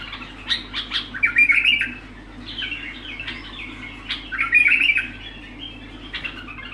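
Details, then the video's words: Continuous bulbul song, bursts of sharp notes and warbled phrases in several clusters, with loud peaks around 1.5 and 4.5 seconds and quieter chatter between, in a small indoor space. "لغات متواصلة بدون انقطاع"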